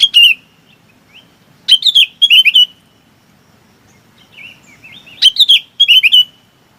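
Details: A bulbul calls to its flock with pairs of lively warbled chirps, soft connecting notes, and a final burst of bubbly slurred notes over faint low noise.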